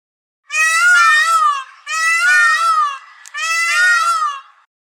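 A peacock gives three loud, wailing, nasal screams, each about a second long with a wavering pitch, spaced about a second and a half apart.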